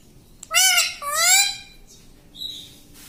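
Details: Talking pet parrot mimicking words such as "mummy" and "mitthu": two drawn-out, nasal, voice-like syllables with a rising-then-level tone, then soft high chirps near the end against quiet background.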